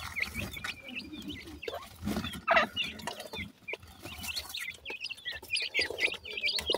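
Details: Several grey francolin chicks produce thin, sweet peeps, short whistled notes in loose clusters, against steady rustling and occasional sharp taps.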